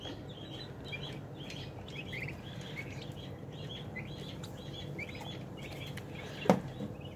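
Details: A flock of 30-day-old turkey poults peeps steadily, with many short, high chirps overlapping over a low hum of barn noise and a single thump near the end.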